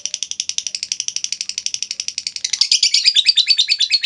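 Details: Lovebird giving a long ngekek chatter, used to lure other lovebirds and as a training master: rapid buzzy notes about seven per second, steady for two and a half seconds, then louder and more wavering.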